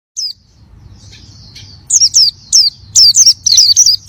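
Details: Oriental white-eye singing energetically: one high thin note, a quiet pause, then a run of loud, high, downward-curving chirps in quick uneven succession over faint low hum.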